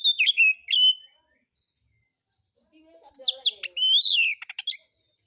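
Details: White-rumped shama lure song: a burst of sharp whistled notes, a silent gap, then soft low chatter leading into a loud rising whistle and crisp clicking notes.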